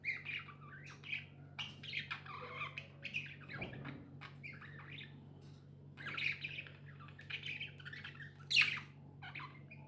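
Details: Pet budgies chirping indoors: scattered short squawky and warbling chirps, loosely spaced, over a steady low electrical hum, with a brief low thump near the middle.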